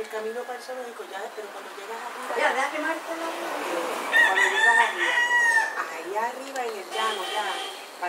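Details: Two roosters clash vocally near a Puerto Rico cockfight in winter; repeated arching calls lead into a long sustained crow, with further crowing afterward.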